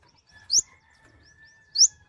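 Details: Kolibri ninja, or mouse-colored sunbird, uttering two sharp high upswept notes a little over a second apart, with faint thin tones between them.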